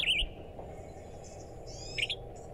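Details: Western Tanager in mountain habitat at Genesee Park, Evergreen, giving its call, two quick, dry 'per-lee' notes about two seconds apart, pitched fairly high, over a steady low rumble of background noise.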